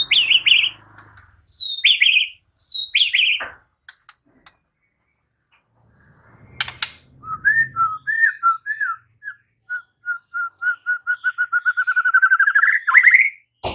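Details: White-rumped shama giving several loud downslurred whistles, then after clicks and a pause a fast accelerating series of short rising notes; scattered clicks and knocks are heard.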